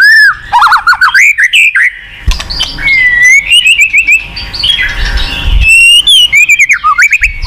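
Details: Murai batu, the white-rumped shama, singing a lure song meant to spur a silent bird: descending whistled notes, then a long run of bright wavering whistles, with sharp high chips and short gaps between phrases.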